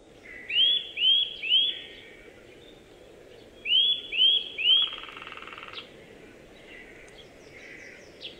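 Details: Eurasian nuthatch giving two bursts of three loud, clear, rising whistled notes about half a second apart, separated by a pause, with faint softer calls afterwards over a steady background hiss.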